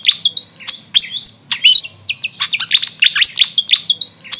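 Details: Grey fantail, called Maria Capra in the local name: a continuous, energetic twitter of high squeaky notes that dip and rise quickly, delivered several per second throughout. A faint low hum sits underneath.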